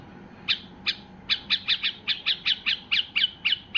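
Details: Excited Basra bulbul, the white-eared bulbul, singing to stir other bulbuls into song: a steady rapid series of about fourteen sharp, ringing notes, roughly five per second, over a quiet background.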